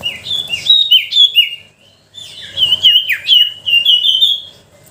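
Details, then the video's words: Steady sooty-headed bulbul song used as a lure for reluctant birds: two bursts of quick, clear whistles that dip and rise, separated by a short silence. "Suara pancingan sirtu pikat gacor dor,sangat ampuh untuk memancing sirtu malas bunyi."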